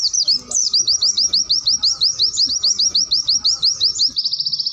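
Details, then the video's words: Tembakan-style white-eye song used as a master recording for training caged birds. A fast series of sharp rising whistled wit notes, about four per second, ends in a brief dry buzzy trill. Faint low background murmur. "Masteran Pleci tembakan 2 Variasi wit wit cerrrrr"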